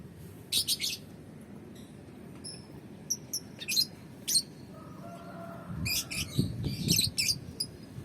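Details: Out in the sun, a young lovebird (balibu) makes short scratchy chirps and a few thin, clear whistled notes, then a denser spell of rapid rasping chatter, over a low background rumble.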